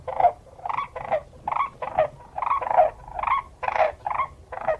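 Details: Crane giving a loud, rolling, harmonic-rich call in short bursts, about two per second, each burst throbbing and rattled, repeated steadily over five seconds with a faint low hum beneath.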